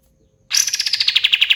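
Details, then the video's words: Pied fantail (kapas tembak) bursts into a quick, bright trill of evenly spaced chipping notes, about ten per second, held at a steady high pitch for one second. "SUARA BURUNG KAPAS TEMBAK KATEM GACOR"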